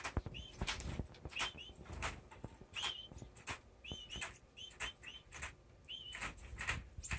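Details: Caged male owl finch practicing his mating dance across the cage floor, perches and feeding dish; short upslurred nasal notes repeat in quick runs, interspersed with dry clicks and taps of hopping feet.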